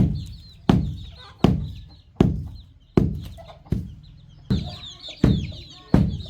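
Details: On a farm, baby chicks and young chickens eat fresh termites: loud pecking strikes fall roughly every three quarters of a second while several chicks keep up soft, high, downward-slurred peeps between them.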